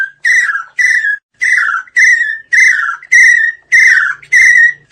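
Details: Chinese francolin calling, a recording used as a lure for hunting: loud, harsh, ringing notes, each sliding slightly downward, repeated roughly twice a second in a steady series, with a faint low hum in the background.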